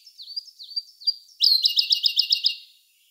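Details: Siberian blue robin song, May 2021: three soft downslurred high notes lead into a loud, stuttering, very high trill of about ten fast notes lasting over a second.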